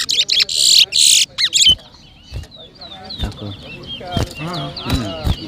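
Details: Seed finch known locally as towa towa, competing in a 2023 bird whistling contest in New Amsterdam, Berbice, Guyana: after loud noisy bursts, a steady run of thin, high whistled slurs and quick chirps, with voices and periodic thumps.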